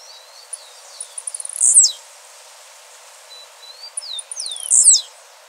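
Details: A Blue-black grassquit in the wild gives two high buzzy phrases about three seconds apart, each starting with a few quick ticks and ending in a sharp wheezy burst.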